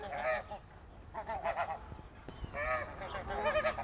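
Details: Snow geese give a run of nasal, barking honks, several overlapping in quick succession as from a flock, over faint background noise.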